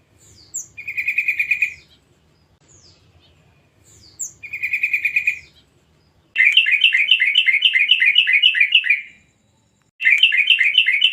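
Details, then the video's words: Lure recording of a young wild yellow-vented bulbul meant to make bulbuls sing fast: two buzzy trilled bursts with sharp high chips, then long dense runs of rapid bubbly chattering notes, with faint low background rumble. "pancingan trucukan muda hutan/bahan // panggilan burung trucuk agar cepat bunyi"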